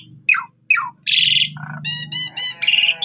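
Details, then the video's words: Lure song of an Asian pied starling for prompting other starlings to reply: two steeply falling whistles, then a harsh rasping burst, a low buzz and three bright ringing notes, with a low hum beneath. "Cukup 3 Menit Saja Jalak Suren Bakal Nyaut Dan Ikut Gacor Dengan Pancingan Jalak Suren Ini"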